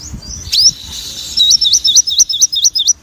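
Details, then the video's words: Sogon, a caged songbird, in energetic full song: a high upward whistle, then a quick regular series of about nine short hooked chirps, roughly four each second. "sogon mania gacor"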